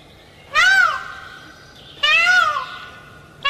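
A peafowl gives loud, wailing, cat-like cries, each about half a second long, repeated roughly every one and a half seconds, with nothing else audible.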